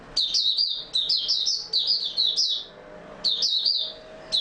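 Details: Oriental white-eye, open singing dated 28 February 2022, giving rapid high-pitched warbled twitters in a long run of linked phrases, a short pause, then another bright chattering burst.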